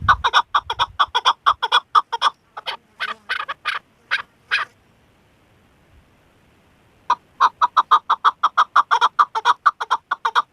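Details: Female chukar partridge kept as a hunter's decoy bird, giving a long series of rhythmic, hoarse clucking notes about two per second, broken by a gap of several seconds before the clucking resumes.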